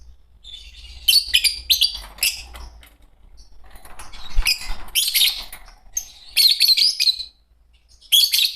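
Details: A green pair of Fischer's lovebirds chirping and singing: bursts of shrill, high chirps in clusters, with brief quiet gaps between bursts and a faint low hum underneath.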